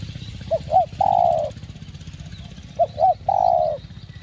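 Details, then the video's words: Spotted dove giving its giọng đồng thúc gù song to lure other doves. Two phrases about two seconds apart, each with two short upturned notes and a long droning coo, over steady low background rumble. "Cu Gáy Giọng Đồng Chuẩn GÁY THÚC GÙ Kích Mồi Tập Bổi Ức Chế.Tiếng Cu Kích Trống"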